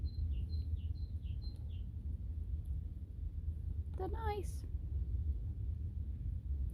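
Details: A great tit repeats a high two-note phrase about five times in quick succession over heavy low wind rumble, then a brief harmonic sound, on a 2022 Thames Path hike between Coates and Ashton Keynes, England.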